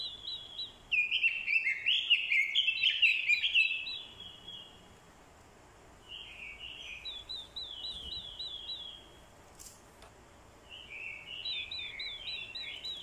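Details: Decoy orange-headed thrush in fighting song, set off by a female's call: a loud, dense warbled phrase followed by two softer phrases of quick, slurred whistles separated by quiet gaps.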